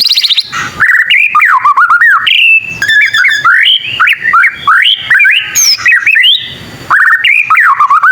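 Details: Young white-rumped shama learning to sing, its voice said to set other shamas answering; a long, loud flow of whistled notes sweeping up and down, with chattering bursts and short gaps.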